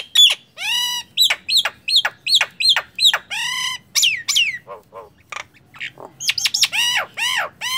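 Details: Nias hill myna, singing vigorously, used as a tutor recording for training other mynas: loud repeated descending whistled notes rich in harmonics, about seven in quick series, then buzzy rising calls, short low honking notes and a closing run of clear whistles.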